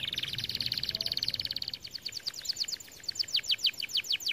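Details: Red variant canary song meant to prompt other canaries into singing: a dense buzzy trill of rapid high notes, then slower, separated downward-sweeping whistled notes repeated about three times a second.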